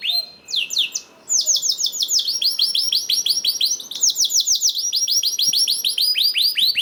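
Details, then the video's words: Canary song played to prompt other canaries to sing: fast trills of repeated rising, curved notes, high and bright, shifting between several tours in a continuous run. "PANCINGAN KENARI 1 MENIT MENDENGARKAN SUARA KENARI DIJAMIN KENARI IKUT BUNYI #21 || VOICE OF CANARY"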